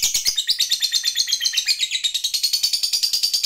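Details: Lovebird of the fighter type, a prolific singer, giving its long trill (ngekek panjang), used to provoke other lovebirds into singing: a fast, high, chattering run of pulses, about eight a second, shifting slightly in pitch, with no pause.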